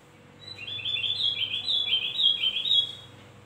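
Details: Energetic lure song of a Javan grey-throated white-eye for attracting birds: a dense stream of high, twittering slurred notes lasting nearly three seconds over a faint hum.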